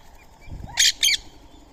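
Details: Indian ringneck parrot at daily feeding time, eating soaked rice and corn beside a squirrel; two loud, harsh screeches in quick succession, a quarter second apart, over faint background bird chatter.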